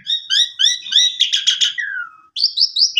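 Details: Asian pied starling in energetic full song, played to prompt a silent bird to sing: repeated bright chattering notes, then a buzzy burst, a falling whistle and higher squeaky phrases.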